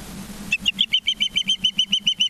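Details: Ospreys at the nest in Charlo, Montana, on 19 September 2023 at 20:14: a steady run of sharp, high whistled chirps, about six per second, over a low hum.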